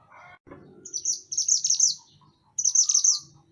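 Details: Mantenan gunung singing energetically for use as a training master for cage songbirds: two bursts of fast, high, sharp chirped notes tumbling together, with a soft lower murmur and a click beforehand.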